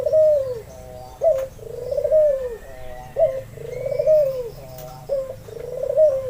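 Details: Albino white Barbary dove with red eyes, kept as a lure to coax other doves that rarely call or are still learning. Gives rolling two-part coos, a short clipped note then a longer arched purr, repeated about every two seconds, with faint bird chirps behind.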